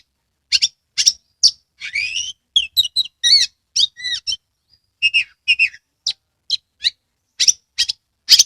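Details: Oriental magpie-robin, a captive bird from Kebumen, Central Java, Indonesia, singing with its tail spread: a varied string of sharp whistled notes, chirps and short buzzy phrases at high pitch, separated by brief pauses, with no other sounds.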